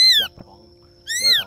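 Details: Ashy drongo (Dicrurus leucophaeus) call, used as a lure recording to trap migrating birds: two loud, nasal, slightly falling notes about a second apart, with a faint steady hum between them.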